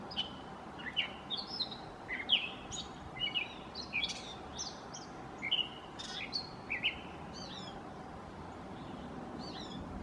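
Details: A gray catbird sings like a mockingbird, mimicking, a rambling, jumbled run of varied squeaky and chattering notes for about seven seconds, then falls quiet over a soft, steady background hiss.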